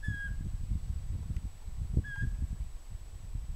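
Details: Pygmy owl giving two soft, steady whistled notes about two seconds apart, over a constant low rumble of background noise.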